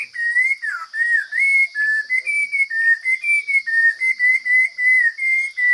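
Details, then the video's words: Forest hwamei singing with a taut, pleasing voice. A steady stream of short whistled notes, slightly wavering in pitch, repeats a little faster than once a second over a faint constant hum. "Coob hav zoov quaj tau zoo kawg!"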